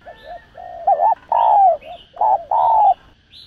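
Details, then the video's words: Spotted dove giving the 'thúc gù' lure coo: soft low warbles build into two loud phrases, each a quick double note then a long, smooth, slightly descending coo. "Cu Gáy Thúc Gù. Tiếng Chim Cu Gáy Thúc Gù Cực Sung Kích Mồi Kích Bổi Cay Cú.cu đất, cu cườm gáy"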